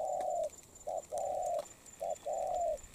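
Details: Fresh-caught spotted dove in molt sings rich, low coos. A long sustained hoot, then a short note and another long note, then a short note and a final drawn hoot follow in a smooth rhythm.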